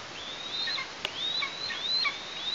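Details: Eastern imperial eagle chick in a nest in Tatarstan on 16 August 2023, while its parents bring prey: thin, high whistled calls that rise and then level off, with short falling tails, given several times over a faint hiss.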